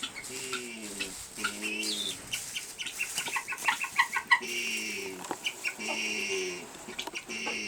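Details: Guineafowl hen calling in a barn while laying an egg, a run of long, harsh, buzzy notes repeated after brief gaps, mixed with sharp clicking and knocking sounds.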